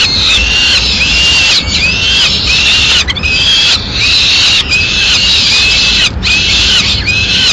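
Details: At a Madrid peregrine falcon nest in May 2016, the male delivers a swift and feeds the chicks; shrill, curved wailing notes come in quick irregular series above a constant hissing background.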